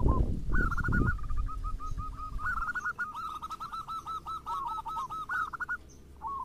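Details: Zebra dove song, local and crossbred birds, played as a lure to get other doves singing: a long rapid series of bubbling coos over steady background rumble and a few low thuds at the start.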